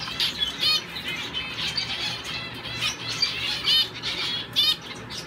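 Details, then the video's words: A male double-barred finch in show training, held in a show cage, sings soft, nasal, buzzy notes in quick uneven high-pitched bursts broken by short pauses, with faint fluttering behind. "Owl finch in training"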